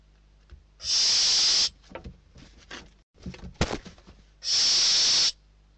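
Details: Spanish barn owl chicks scrapping over a food delivery: two loud rasping hisses at start and end, with bursts of scuffling, bumping and wing-flapping noises between them.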